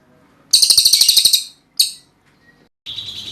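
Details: Cililin singing a loud, rapid machine-gun trill of sharp high notes lasting about a second, a short separate burst, then a pause before lower, buzzier chattering begins.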